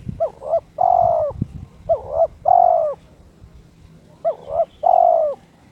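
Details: Spotted dove in breeding condition, kept captive, challenging a rival with its crystal voice: three phrases, each a quick double-peaked note followed by a long, slightly falling coo, spaced about two seconds apart, with a faint low hum.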